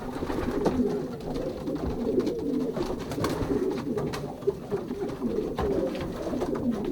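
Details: Racing pigeons in a young-bird loft during pairing, 2023 season, Pruszków branch, Poland, indoors: many birds cooing together in a steady low, rolling chorus of overlapping coos, with occasional soft knocks and wing shuffles.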